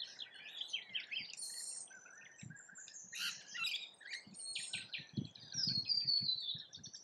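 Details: Australian rainbow lorikeets feed with a busy mix of shrill squeals, scratchy chirps and one long high descending screech. Soft low thuds and knocks run beneath the calls.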